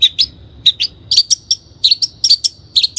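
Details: Lure recording of a long-tailed shrike for training caged birds: bursts of high, sharp chirps, some doubled or tripled, delivered irregularly at a lively pace with a faint low hum.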